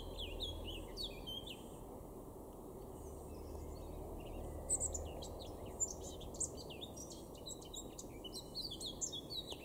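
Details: Garden in Weener, East Frisia, Germany, April 2022, where a male Eurasian blackcap sings a soft, fast, chattering warble of high, varied notes through most of the stretch, louder toward the end, with constant low background hum.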